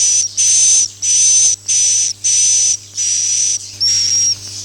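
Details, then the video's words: Swiftlet call of the "Akau ngaji" style: seven hissing buzzes, each with a thin high level whistle, delivered at an even pace with short pauses between. "suara walet Akau ngaji Original"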